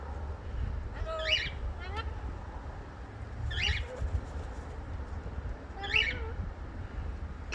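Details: A pet parrot squawking outdoors gives three harsh, rasping squawks spaced about two seconds apart, each with a brief rising and falling edge, over a low rumble of outdoor background noise.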